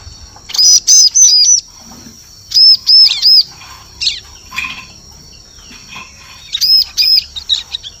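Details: Rapid triplets of piercing high chirps from a bar-winged prinia, separated by pauses with faint extra twitters; a lure recording for forest trapping.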